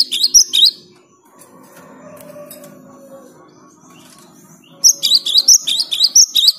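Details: Cinereous tit singing energetically, used as a lure to get non-singing tits to sing: short bursts of high, clipped, repeated double notes open and close the clip, separated by a few seconds of low hum.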